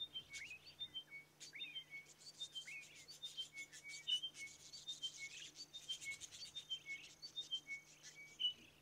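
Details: Chiming Wedgebill pair in inland Australian desert during a wet year: one bird repeats high, clear notes in short falling chimes while the other intermittently inserts a shorter note; buzzy, rasping sounds come and go underneath.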